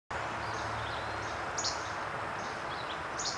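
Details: Least flycatcher singing at Hicks Run Wildlife Viewing Area, Elk Forest, Pennsylvania, on June 16, 2013: short, sharp, high che-bek notes about every second and a half over steady rushing background noise.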